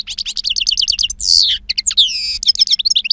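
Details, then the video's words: European goldfinch, two years old, singing wild-style song with strong timbre: fast runs of bright tinkling notes broken by drawn-out descending buzzy calls and short harsh rasps. "Jilguero Reclamo Canto Silvestre Puro"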